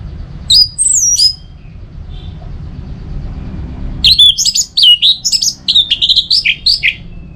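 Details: Orange-headed thrush from northern Bali, song meant to stimulate caged birds to sing through rainy and dry seasons; two brief twittering notes, a pause, then a lively rapid stream of high varied chirps, whistles and slurred notes over low hum.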